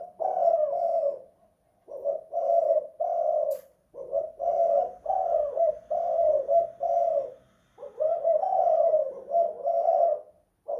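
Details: Long run of spotted dove cooing inside a house, 'kuk 2 / guk 1' style: five or six mellow, low coo phrases with even breaks, one faint tap heard in the middle.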